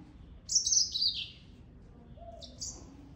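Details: Taveta golden weaver (Ploceus castaneiceps) at Zoo Berlin gives a high, scratchy chattering burst that falls slightly in pitch, then, after a brief pause, a shorter, thinner buzzy note.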